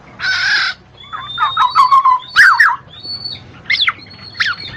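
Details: Black-naped oriole (kepodang mas), used to coax lazy birds into song. It opens with a harsh rasping burst, followed by liquid, fluty slurred whistles that wander up and down. Thin high notes and short chirps are mixed in.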